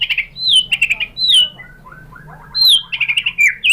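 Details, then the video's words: White-rumped shama song used in Indonesia to provoke other shamas: clear, down-slurred whistles alternate with buzzy notes, a soft descending chatter in the middle, then louder whistled phrases return. "memancing EMOSI MURAI BATU biar ikut GACOR BONGKAR MATERI ISIAN ¦ PANCINGAN MURAI ¦ SHAMA BIRD"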